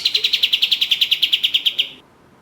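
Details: Orange-spotted bulbul, in a lure recording for contest songbirds, delivers a fast trill of about sixteen sharp, high, evenly spaced notes over two seconds, then stops abruptly, leaving quiet.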